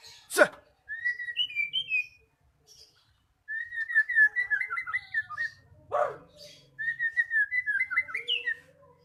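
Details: Magpie-robin song played as a lure to make quiet birds sing freely: long runs of bright whistled warbling in three bursts, broken by two loud thumps.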